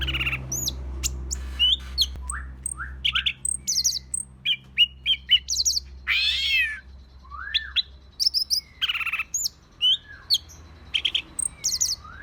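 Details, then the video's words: Agitated green leafbird singing a varied run of short whistled notes, upslurs and quick chirps, some high and sharp, with brief pauses between phrases; a low steady hum underneath. "cara pancing burung cicak ijo kk emosi"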